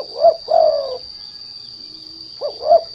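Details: A trained spotted dove used as a lure to provoke untrained doves into singing. It gives low, mellow coos in two short groups, each a quick note followed by a longer drawn coo, with a steady high whine behind.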